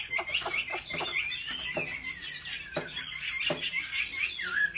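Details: Chinese hwamei in competitive singing, trained at home: a run of varied warbled phrases over a steady high band, with sharp clicks and bursts scattered through it, against faint background noise.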